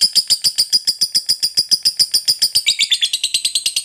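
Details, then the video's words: Lovebird in full 'ngekek' song, used to provoke opponents and trigger reluctant birds to sing: steady rhythmic series of sharp, high chattering notes, about five per second, staying even throughout. "SUARA BURUNG LOVEBIRD NGEKEK PANJANG, JITU BANGET PANCING EMOSI LAWAN"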